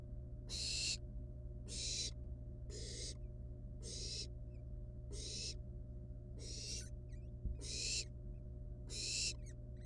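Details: Wild barn owl chicks in the nest with a live rat delivered as prey; rasping screech-hisses repeated irregularly about 49 times a minute, each roughly 0.4 seconds, over steady low humming background.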